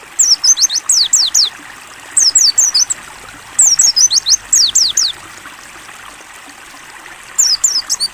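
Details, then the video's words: Pleci white-eye in a training recording, 'ngalas buka paruh' style: several quick bursts of piercing, high, downward-slurred whistles, each burst of five to eight notes, with constant running-water sound behind. "AUDIO MASTERAN PLECI NGALAS BUKA PARUH JERNIH"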